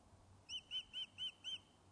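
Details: Fish-calling Osprey at its nest, Loch of Lowes, Scotland, back after being considered lost: five evenly spaced, high, arched whistled notes a quarter second apart, over faint low hum.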